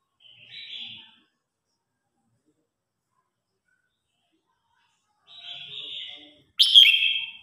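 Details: Red-whiskered bulbul competition singing to call its flock: two soft, slurred whistled phrases separated by a long silence, then one loud, sharp, bright note to finish.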